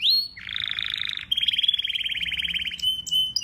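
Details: Domestic canary, a pet singing bird of the finch family, male, singing: a high rising note, then fast buzzy trills around mid-high pitch switching to a rapid rattling series of repeated notes, ending in brief whistles.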